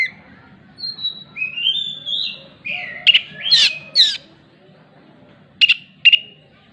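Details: An oriental magpie-robin mimics a hen clucking after laying. Drawn-out whistled slides give way to harsh, broadband squawks and later to short paired clucking notes. A low background hum is present.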